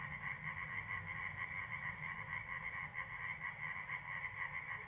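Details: Corn crake (Crex crex) calling at night, recorded from an attic window at the southern edge of Iński Landscape Park, its third day calling: a dry, rasping croak about twice a second, steady rhythm, over low hum. Finding: Corn crake.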